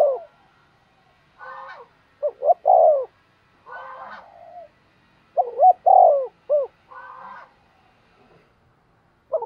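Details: Spotted dove cooing to provoke wild doves. Three-part coos recur every few seconds: a short rising note, a loud rolling coo, then a clipped final note. Quieter, harsher calls fill the gaps between phrases.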